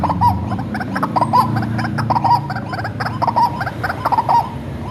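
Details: White-breasted waterhen reared by hand from a chick, recorded as a lure call: a run of croaking, nasal notes in quick clusters with brief gaps, backed by a low droning hum.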